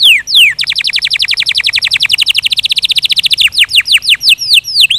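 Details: A canary sings loudly: two falling whistles, then a sustained rapid rattling trill of identical notes for nearly three seconds, followed by a series of sweeping downward whistled notes.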